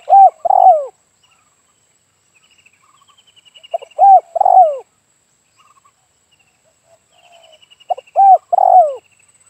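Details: Spotted dove calling during a trapping session with decoy birds near Dumai, Riau, Indonesia: three loud phrases of low, hooked coos, each about four seconds apart, with faint higher chirps from other birds between them.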